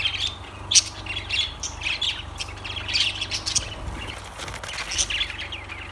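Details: Shrill lovebird squawks and chirps come in uneven bursts, one sharp loud note early and a steady chattering flow afterward, set against a low droning hum.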